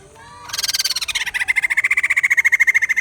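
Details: White-crested laughingthrush song: a fast cackling chatter of sharp, evenly pulsed notes, about twelve per second, starting high and settling into a steady rattling run that carries on to the end.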